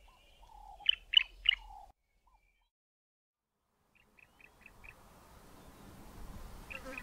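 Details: Bar-throated apalis pair duetting, the male's part louder and lower: three loud, ringing notes over lower slurred whistles, then a quick run of five short ticks, with a rising hiss at the end.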